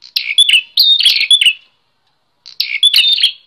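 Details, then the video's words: Bar-winged prinia song used as training material for other songbirds: bursts of buzzy chirps and short whistles around high pitch, two phrases separated by a second of silence. "Prenjak Klawu Gacor! Cocok untuk masteran dan pancingan burung bahan"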